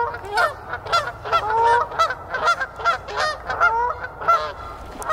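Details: Canada geese in a chaotic noisy chorus at Canoe Meadows on 1 March 2024 honk over and over. Several birds give loud, nasal two-part calls that overlap, roughly two or three honks a second.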